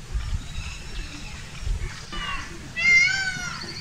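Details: Peacock, the Indian peafowl, filmed around its dance; low rumbling background and murmur give way near the end to one loud, harmonic, wailing call that rises and falls.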